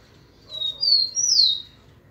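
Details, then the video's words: Rufous-collared sparrow song, close and clear: a thin high whistle, then a louder rising note that slurs down into a drawn-out falling whistle, all within about a second, with only a faint low rumble behind. "tico tico cantando de cara"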